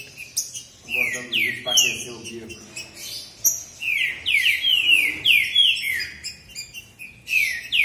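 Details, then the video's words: Two territorial male Green-winged Saltators, named Açougueiro and Joker, sing against each other in a contest, trading loud, rich whistled phrases that each slide downward, repeated rapidly; a man talks briefly. "O Alquimista dos Trinca Ferro! Mostrando essa disputa de alto nível!"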